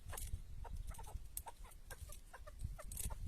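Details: Tethered chukar partridge used as a decoy during a hunt in the wild, giving short clucking notes in quick, irregular runs, with a few sharp high clicks, over a heavy low rumble of wind or handling noise.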